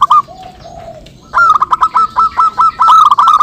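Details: Local zebra doves singing and answering each other, a recording meant as a lure for trapping: a soft lower coo, then a rapid run of short, even, mid-pitched cooing notes repeated about eight times.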